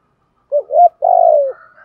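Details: Spotted dove coo for training decoy doves: a quick dip of notes, a rising hollow coo, then a long vibrating coo falling in pitch, with a faint higher tone after.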